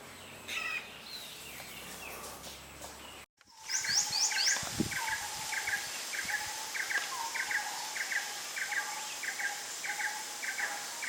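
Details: Forest birds at Phu Sing, Sisaket, Thailand: after a brief break, a bird gives a rapid series of short chirps, several each second, over a quick high trill, with other distant birds and a constant hiss behind.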